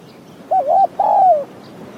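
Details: Decoy Spotted Dove and wild dove contesting in mountain forest during trapping; two soft coo notes, a short wavering one then a longer note sliding downward, over a low steady background hum.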